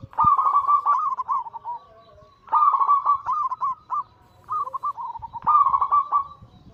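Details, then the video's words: Zebra dove of Bangkok crossing cemani katuranggan silver stock giving anggungan coos meant to stimulate singing: three loud rolling, gurgling phrases, each a quick chain of soft notes, separated by brief quiet spells. "Masteran Pancingan harian burung perkutut Anggungan paling ampuh langsung emosi gacor"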